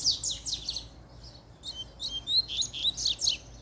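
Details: Excited by a female, a double-collared seedeater delivers a fast run of high, buzzy descending notes, then a string of bright chipping twitters with barely a pause.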